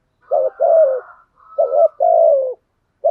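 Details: Spotted dove used as a lure bird, giving its prompting coo mixed with calling coos: two-part phrases, a short wavering note then a longer, slightly falling coo, repeated at irregular intervals with faint higher overtones.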